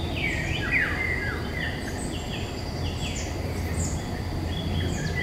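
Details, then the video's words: Eurasian golden oriole singing in woodland in May 2021, filmed with a Nikon Coolpix P1000: fluty, slurred whistles sliding downward, several short phrases in quick succession, with thin high chirps from other birds and a steady low hum. "Il canto del rigogolo (Oriolus oriolus) nei boschi"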